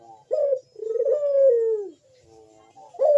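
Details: Barbary dove (puter) cooing in the manggung style used to prompt other birds to call: a loud bekur coo with a short rising note, then a long sliding coo falling in pitch, and a fresh coo starting at the end.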